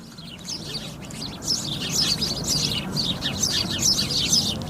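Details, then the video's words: Sparrows chirp busily in a dense, overlapping chorus of short, bright notes, several each second, over a steady low background rumble. "The sound of sparrows. صدای گنجشک ها"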